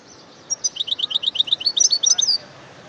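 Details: European goldfinch delivering a lively run of high, rippling chirps, each note rising and falling quickly, lasting around two seconds before stopping.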